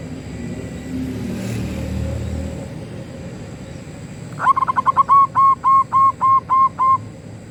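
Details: A local Zebra dove calling loudly sings a run of about nine short, clear, even-pitched coos, roughly three a second, after a few seconds of low background rumble.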